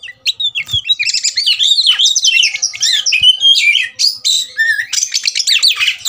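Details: Oriental magpie-robin, agitated and provoked to fight, singing a dense, rapid stream of varied whistles, rising and falling slurs and buzzy chatter, with hardly any pause over six seconds.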